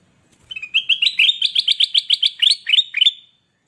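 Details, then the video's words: Ruby-throated bulbul (kutilang emas), a caged bird in full energetic song, recorded as a master for training reluctant cage birds. It gives a fast run of about fifteen bright, clear whistled notes, evenly repeated and rising slightly, then stops abruptly. "Burung kutilang Emas Gacor buat masteran burung bahan Ombyokan yang Malas Bunyi"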